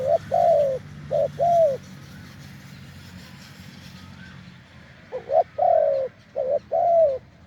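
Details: Branch-decoy session with a deep-voiced wild spotted dove. Paired coos open the recording, then a quiet stretch with low rumbling and faint voices, before the short-long cooing phrases resume.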